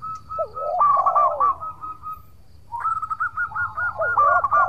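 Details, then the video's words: Zebra dove of the local type in full song, used as a lure so rivals reply: rapid staccato notes broken by falling, slurred coos, a short pause, then the same chattering-and-cooing phrase again. "Perkutut Lokal Gacor Suara Merduk Cocok Buat Pancingan - Bikin lawan langsung Nyaut!!!"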